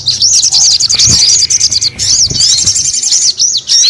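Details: Sogon delivering a loud high song of rapid twittering and repeated arched whistles, nearly continuous over four seconds, with a few background knocks.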